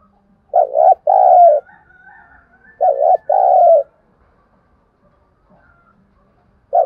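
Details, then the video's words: Lure-call spotted dove calling energetically to stimulate wild birds. Paired throaty coos repeat in bursts about two seconds apart, and a third burst starts at the end. The background is otherwise quiet. "Tiếng chim cu gáy mồi thúc bổi rất sung"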